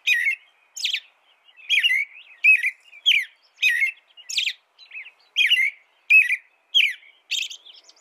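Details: Long steady bout of American robin song, about a dozen whistled, rolling phrases rising and falling in pitch, delivered in an even rhythm with short gaps.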